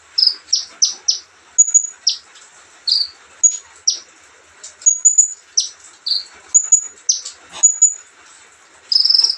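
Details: Relaxed olive-backed sunbird singing a rapid string of high, steeply down-slurred chips mixed with brief thin whistles and a few short buzzy phrases; no other sounds.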